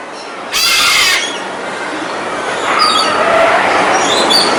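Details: Scarlet macaw in a group of birds: one loud, coarse scream of about half a second opens the clip, followed by softer, distant squawks and chatter from other birds against steady background noise.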